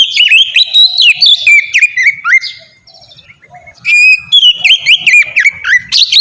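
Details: Oriental magpie-robin, used as a lure for caged birds, delivering fast varied whistles and dipping slurs. A short quieter gap comes midway before a bright run of repeated notes resumes.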